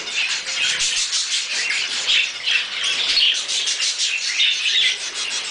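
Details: A pair of pet Quaker parrots eating a strawberry produce continuous scratchy squawking, pulsing in short raspy bursts with a few thin whistled notes mixed in.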